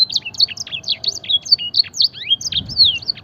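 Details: Fancy canary in full song, imitating blackthroat and edel sanger: crisp, rapid high notes alternating between sharp chirps and longer descending whistles.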